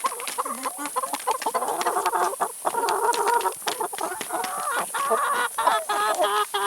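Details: Chickens eating salad and vegetables, a busy chorus of overlapping clucks with wavering tones and frequent pecking clicks.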